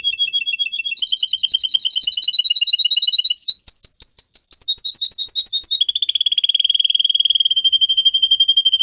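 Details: Pet singer canary song for training canaries to sing: a series of fast, high trilled tours, each changing pitch every second or two, ending in a long, steady rapid roll.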